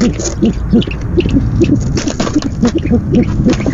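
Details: Owl filmed by a nest cam on the night of 17 February 2015 during its first food delivery: a series of short, low, curved hoots, some paired, spaced unevenly over a constant low hum.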